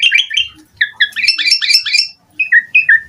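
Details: Asian pied starling in energetic full-filler song, a rich medley of clear whistled notes, some rising and some falling, delivered in quick clusters with short pauses between phrases.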